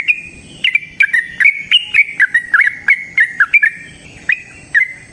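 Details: Yellow-vented bulbul, a wild bird, in busy long-running song played to prompt other bulbuls to sing: bubbly warbled phrases punctuated by sharp clicks, tumbling up and down, tapering into sparser notes toward the end.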